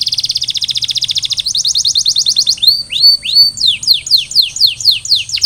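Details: Canary song aimed at making silent canaries sing: very fast even trill, a slower choppy roll, rising-falling whistled slurs, then a string of descending whistled notes.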